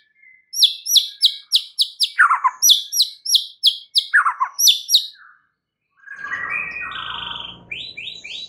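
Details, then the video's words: White-rumped shama singing as a lure to rouse other birds: a rapid run of about a dozen sharp, high chipping notes with lower slurred phrases, then a pause and softer, buzzier warbled phrases. "SEKALI PANCINGAN Murai Batu anda langsung NAIK EMOSI mendengarnya"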